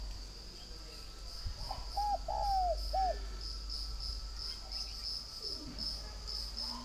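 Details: Spotted dove from a northern Vietnam breeding garden in Ba Vì, Hanoi. Early on comes one quieter three-note coo, short, long and falling, then short. A pulsing high insect chorus and faint rustling fill the rest.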